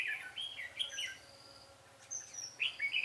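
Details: Red-whiskered bulbul in a trapping session in Vietnam, 13 March 2017: short bursts of bright, warbled notes swooping between mid and high pitch, a pause, then another lively phrase.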